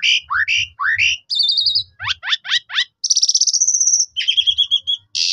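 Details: Black-collared starling song for prompting other starlings to sing: repeated rising whistled notes, a buzzy trill, a series of sharp descending chirps, a long rapid rattle and a repeated two-tone whistle, faint low thumping behind.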